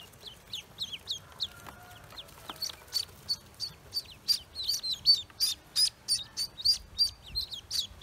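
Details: Several newly hatched Pekin ducklings on a farm chirp over one another, high downslurred peeps that grow louder and denser, giving a busy, overlapping chorus.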